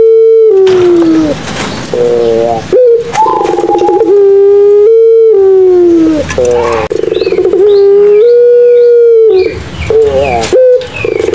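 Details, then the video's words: Barbary dove of the Madura pelung kind, used to coax quiet doves into calling: a series of long, level, tonal coos that dip at their ends, separated by short purring rolls and pauses. "SUARA PUTER PELUNG MADURA COCOK BUAT PANCINGAN PUTER PELUNG MACET BUNYI"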